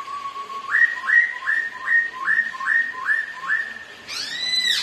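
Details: Duelling black-throated laughingthrushes, two ornamental birds singing against each other while dancing, repeat a clear whistled note that jumps upward about eight times, then a harsh burst of noise.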